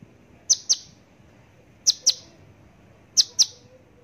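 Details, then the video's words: Horsfield's (Javan) bush lark giving sharp, high chips in quick pairs, a pair roughly every one and a half seconds, against a quiet background. "branjangan javanica"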